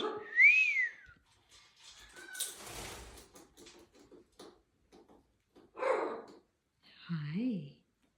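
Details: A female pet green-winged macaw, just after a shower, gives a clear rising-and-falling whistle, then a harsh rasping burst and a wavering, voice-like warble, with soft murmurs and a rustling shake between.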